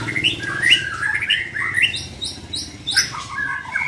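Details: Young white-rumped shama in training, singing a quick run of varied whistled notes, some slurred upward, others sharp high chips, over a steady low hum in the background.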